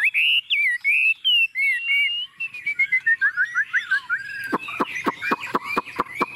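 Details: Chinese hwamei, tame bird singing confidently on a table: clear whistled phrases, then quicker fainter notes overlaid by a regular series of loud sharp clicks.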